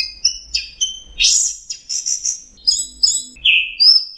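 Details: Songbird training song: high chips, a loud buzzy rasp, then ringing whistled notes and a falling slur, with faint low background rumble.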